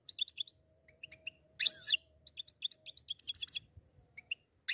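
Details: Two goldfinches together: quick, high, liquid twittering chips in tight runs, broken by one loud, ringing harmonic call, then more jingling twitter ending in another call; otherwise quiet.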